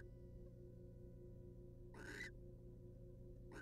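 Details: Wild barn owl in a monitored nest box as the male preens the female's feathers; one short, harsh, hissing screech breaks a steady electrical hum, and a second call begins right at the end.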